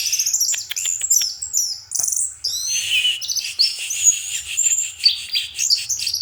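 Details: At night an orange-headed thrush pours out a dense, nearly continuous medley of sharp high chirps, rapid ticking notes and bright whistled slurs, over a steady low background hum.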